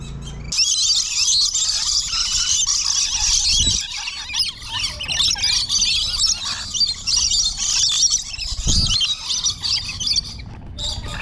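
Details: Lorikeets in an aviary in early morning screech and chatter in a dense, continuous flock chorus of shrill, overlapping squeals, with a couple of low thumps in the background.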